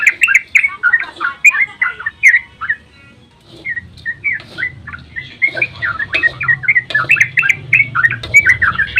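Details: Yellow-vented bulbul in long dawn 'ropel' song, a lure to stir other bulbuls to call: busy gurgling whistles, a near-silent gap of about a second, then a renewed dense chattering run.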